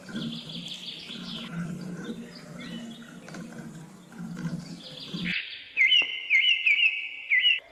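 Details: Birds chirping in a hill forest jungle: a mix of varied whistles and chirps over a low hum, then one bird repeats a short, clear whistled phrase about every half second.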